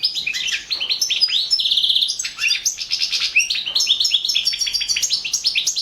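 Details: Competition recording of a European goldfinch song: fast, continuous high twittering with liquid chirps, rising slurs and a brief buzzy trill, steady and loud throughout.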